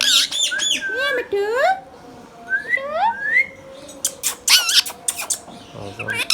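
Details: Talking pet Indian ringneck parakeet, green and hand-tame, producing rapid word-like phrases of swooping, nasal, harmonic syllables, then shorter sharp bursts, in a quiet room with a faint constant hum.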